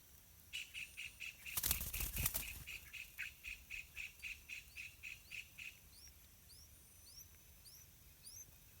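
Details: Yellow-vented bulbul family in a pineapple garden, parents feeding two hungry chicks on wild fruits and small insects: a steady series of short, high chirps repeated about twice a second, with a brief burst of rustling or flapping partway through.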